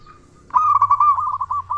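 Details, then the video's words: Local zebra dove with a big voice, an actively singing bird used as a lure to make other doves call quickly. After a faint start, a loud, rolling, trilled coo runs steadily for over a second. "Perkutut Lokal Gacor Suara Besar Pancingan Burung Perkutut Agar Cepat Bunyi"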